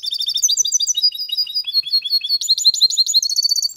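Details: In a cage, a mule goldfinch mates with a female goldfinch. It gives a quick, liquid, chattering song of sharp chirps, which grows louder and more jangling in the second half.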